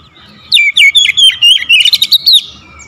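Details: Oriental magpie-robin (kacer) pouring out a loud, rapid, varied song of sharp whistles, chirps and trills, used as a lure to set reluctant birds singing strongly.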